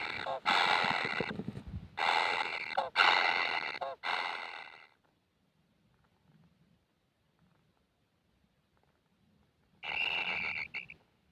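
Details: Kingfisher chicks asking for food make bursts of rasping, buzzy begging calls lasting about a second each, then fall silent for several seconds before another burst.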